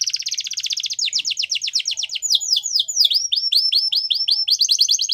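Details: Training song of a Yorkshire canary meant for young canaries, opening with a fast high trill, then repeated descending whistled slurs and sweeping notes, and closing with another rapid rattling trill.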